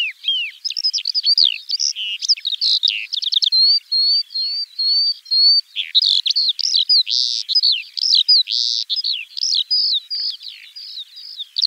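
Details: Eurasian skylark (Alauda arvensis) singing a fast, unbroken high warble of chirps, slurred whistles and quick trills, with a run of clear level whistled notes near the middle, without pause for the whole stretch.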